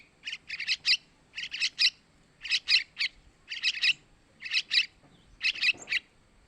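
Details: Sooty-headed bulbul chick begging, used as a lure for adult males. Harsh, scratchy bursts of three to four quick notes come in clusters about once a second, with brief pauses between groups.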